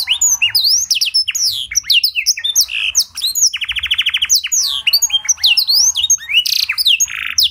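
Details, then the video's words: Canary trained on blackthroat song, recorded as a lure for other canaries; dense torrent of upswept whistles, chirps and a long mechanical rattle-trill mid-phrase, varied and continuous. "Pancingan & Masteran Burung Kenari Isian Blackthroat Suara Jernih! Bakal Langsung Ikut Gacor"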